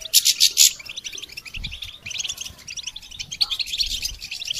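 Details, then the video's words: European goldfinch song for training songbirds: a fast, high, tinkling twitter of bright chirps, opening with a loud harsh burst before the twittering settles into quick runs. "integrated stimulation suitable for all songbirds for goldfinches"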